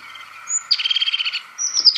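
European Crested Tit: a thin high note, then a fast purring trill of about a dozen pulses and a final high, squeaky flourish, over a faint steady hum.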